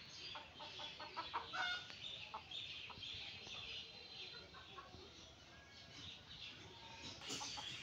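Red junglefowl clucking in short, sharp bursts of quick notes, loosest near the start and end, over a steady hiss of background noise and other faint birds.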